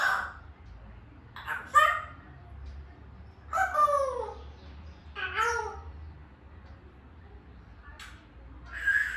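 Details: African grey parrot giving scattered bursts of whistled and squawking calls, some notes bending down in pitch, separated by pauses of one to two seconds, over a low background hum.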